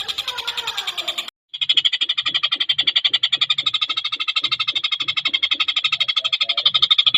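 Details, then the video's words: Javan kingfisher in a fast, dense singing bout, used to tutor competition songbirds. A fainter chatter breaks off for a brief pause, then a steady, rapid rattle of sharp high notes continues, with soft low knocks below. "Tengkek Buto gacor speed rapat"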